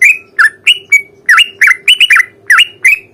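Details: Sooty-headed bulbul giving a long, rapid fighting song meant to make other bulbuls sing back: loud, clear chirps, many dipping then rising in a V shape, given in quick succession with a faint hum underneath.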